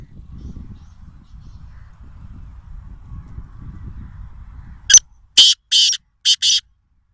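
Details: Black francolin, with adult and chick calls named in Sindhi as kala teetar: after several seconds of quiet low rumble, five loud, harsh, rasping bursts come in quick succession near the end.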